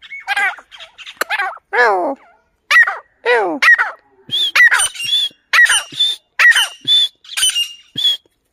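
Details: A grey francolin, possibly female, gives loud, harsh squawking notes, some sliding downward and others shrill and high, repeated roughly once a second in an uneven series.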